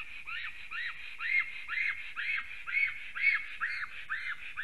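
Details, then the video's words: Female black stork at a nest in Sigulda, Latvia, 10:12 am on 28 March 2020, sings a steady run of wheezy, arched whistles, rising then falling, about two each second, with no other clear sounds. "Black Stork~ Female sings"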